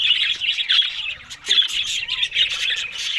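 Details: Busy high-pitched warbling from Australian budgies at a morning meal of green food, chirps and squawks tumbling together in uneven bursts.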